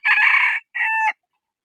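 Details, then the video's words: Rooster crowing in two loud, harsh parts: a long rough syllable, a short pause, then a shorter, steadier, more tonal ending. No other sounds are heard. "Suab qaib qua zoo heev"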